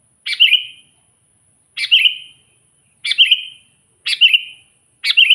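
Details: Sooty-headed bulbul, natural voice used to lure wild bulbuls: five clipped, bubbly chirp phrases, each a sharp burst that falls into a short whistle, roughly once a second, with a thin constant high tone behind.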